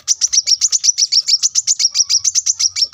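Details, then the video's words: Brown-throated sunbird, masteran recording for training cage birds: a continuous rapid trill of high, sharp, evenly repeated notes, about seven per second, loud and clear throughout. "kolibri kelapa gacor masteran untuk burung bahan agar cepat bunyi gacor setiap saat"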